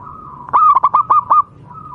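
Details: Zebra dove from local wild stock, sung as a master voice for pet doves: one rolling phrase of six rapid looped coos framed by soft steady humming notes.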